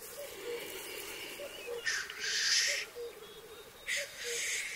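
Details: Several male black grouse (Lyrurus tetrix) on 2023 lek arenas, where fights precede mating, keep up a low, bubbling, dove-like rookooing, broken twice by loud explosive hissing sneezes.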